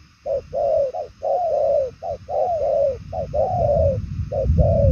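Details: 'Đồng son chân tím' spotted dove cooing fast with far-carrying patterned delivery; short and long downcurved coos in alternating groups, with a low rumbling background noise growing toward the end.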